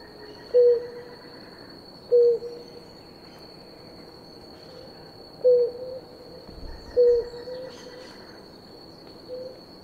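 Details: Blue ground dove pair drinking water: a soft low single-note hoot repeated at uneven intervals of roughly one to three seconds, over a constant high-pitched insect drone and quiet background chirps.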